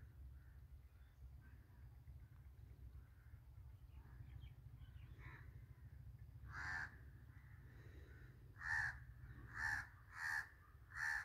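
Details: Wild birds in a jungle, feeding; several loud harsh calls repeated about once a second near the end, with fainter chirps earlier and a steady low rumble throughout.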